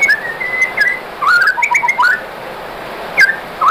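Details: Whistled white-rumped shama song used as a provoking song to get other shamas singing: smooth fluting notes at mid pitch, a quick twisting phrase, then short rising whistles after a pause.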